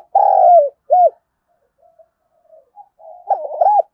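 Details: Spotted dove giving competition-provoking coos: a long buzzy coo and a rounded short note, a quiet gap with faint murmurs, then a new phrase of rapid looping coos.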